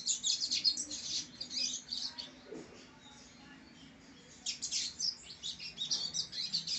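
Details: Rusty-collared seedeater, brown-plumaged and descended from a line of bred singers, pouring out high, rapid chirps, pausing for about two seconds, then resuming the busy twittering phrase.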